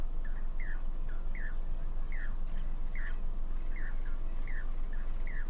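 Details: Four noisy Jacobin cuckoos, also called pied crested cuckoos, calling to one another on a wire at Damdama lake, India, during the monsoon. Clear, ringing down-slurred notes repeat steadily over a loud constant rushing background.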